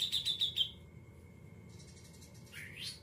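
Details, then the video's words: A Greater green leafbird (cucak ijo) gives a burst of quick high chirps, then a long steady whistle ending in a sharp rising sweep, with no other sounds. "Cucak Ijo Muntah Isan Kapas Tembak Putar"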